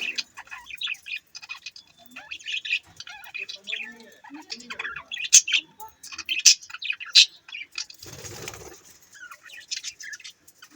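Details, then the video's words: Several budgies chirping in a continuous, irregular chatter of scratchy warbles and quick high chirps, with louder sharp squeaks near the middle and a brief noisy rustle toward the end. "Budgies chirping sound"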